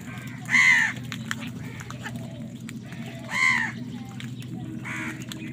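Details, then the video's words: Two loud, rasping caws from crows squabbling over food, with fainter caws between and after them and a steady low hum underneath. "কাকের ডাক Crow Sound Crow ki Awaz Loudly | Crow bird Fight for Food"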